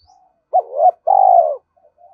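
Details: Spotted dove decoy calling: a hoot sliding into a wavering note, then a long, evenly pulsed churring coo, with faint soft coos around it.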